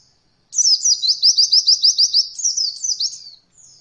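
Oriental white-eye song: a fast, high run of thin twittering notes, rolling along in quick repeated slurs for about three seconds.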